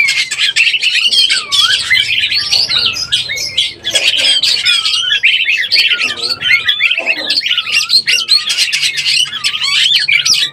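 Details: Oriental magpie-robin in breeding condition, used as a lure: nonstop dense high-pitched chatter and squeaky whistles with repeated dipping slurred notes, a faint low hum underneath.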